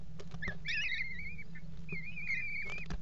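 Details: Eurasian kestrels copulating on the edge of a water tower nest box, 5 February 2018. Two long quavering whined calls, each about a second, with scratching clicks between them over a low droning hum.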